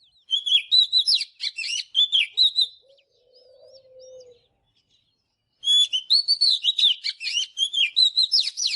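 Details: Oriental magpie-robin in morning song for training: rapid clusters of sharp whistles and chattering notes, a pause with a soft low hum, then another long burst of varied phrases.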